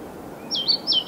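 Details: A European pied flycatcher at Viertola, Vantaa, Finland, on 6 May 2012, gives two high, sweet notes in quick succession, each dipping and then lifting, against a quiet background.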